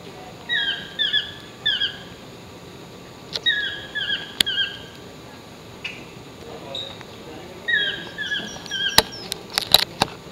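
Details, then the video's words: Chestnut-mandibled (Yellow-throated) toucan perched in a tree at La Baula Lodge, Tortuguero, Costa Rica, on 15 April 2014, calling in bursts of three or four yelping, down-slurred notes about every three seconds, with sharp clicks and taps nearby. "Chestnut-Mandibled Toucan calling"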